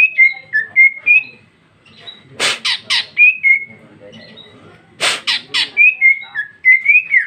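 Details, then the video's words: Female greater green leafbird singing in lively, open style with varied phrases: quick slurred whistles and chirps interrupted twice by clusters of three loud harsh, rasping squawks, then more rapid whistled notes. "Cucak ijo betina paling gacor ngeplong isian super mewah"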